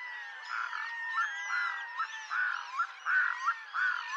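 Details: Red-throated diver with a drawn wailing tone under rhythmic, throaty nasal bursts repeated about every half second, each burst ending in an upturned inflection.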